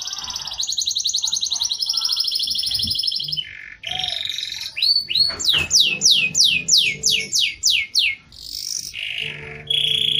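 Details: Canary near dusk delivering prinia-style filler: a sustained high trilling rattle, then a series of loud, sharply descending whistled sweeps repeated about three per second, closing with another buzzy trill.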